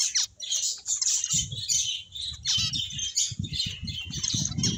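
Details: Finches playing give a constant, bright chirping chatter in a high register, accompanied by soft repeated low bumps and rustling.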